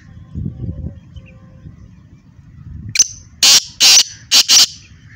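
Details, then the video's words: Black francolin (kala teetar), a kept bird in Hyderabad, Sindh, calling: after low rumbling background, a faint high note, then four loud, harsh, grating notes in quick succession. "kala teetar ki awaz"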